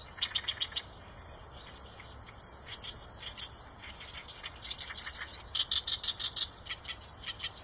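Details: Eurasian tree sparrow chirping: a few sharp chirps, a quieter stretch, then a busy run of rapid, high, clipped chirps in quick succession toward the end, with a faint hiss behind.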